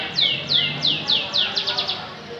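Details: Canary song from Samarinda: five bright descending whistles about one every third of a second, then a faster burst of shorter slurred notes, with low background hum.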